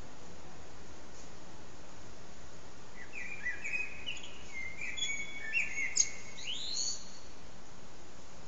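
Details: Blackbird singing from a rooftop antenna during a nearly three-hour performance; mellow whistled phrases slide between mid pitches and end in a squeaky, high twittered flourish, with constant faint hiss behind.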